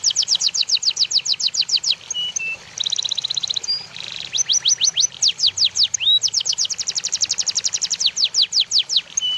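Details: White-rumped shama training song for other birds: long, dense bursts of sharp, very high, sweeping notes in rapid series, with occasional short lower whistles between them.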